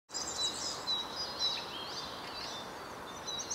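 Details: A European serin singing in central Savitaipale, Finland, on 16 May 2012: a fast, very high, jingling buzzy twitter running almost without pause over steady background hiss.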